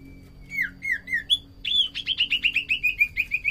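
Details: Common iora (sirtu cipoh) in full song, recorded as a lure and tutor sound for other birds: a few slurred downward whistles, then a rapid, steady series of about fifteen short chirping whistles.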